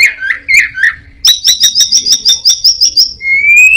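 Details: Mimicking orange-headed thrush: a few slurred whistles, then a fast even series of about ten sharp high chips, ending in a long rising whistle. Its repertoire reportedly copies prinias, a cat, cirtu and other birds.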